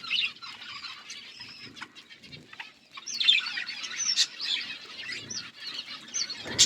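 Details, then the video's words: A flock of budgerigars chirping, a soft scattered twittering that grows louder and busier halfway through, with quick rising and falling notes and occasional fluttering. "Budgies flocks birds chirping sounds"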